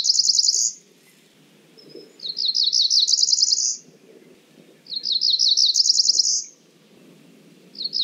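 Cerulean warbler singing a high, buzzy run of quick notes that climbs in pitch, repeated about every two and a half seconds over a faint low rumble.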